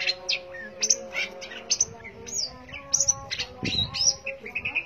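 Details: Long-tailed shrike in lively song, mixing high sharp notes with slurred rising and falling whistles and short sweeps, over a faint hum and a brief low thump midway.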